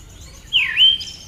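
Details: Single call of a female Siberian thrush: a strong note that slides down and then sweeps back up into a brief whistle, clear over low background noise.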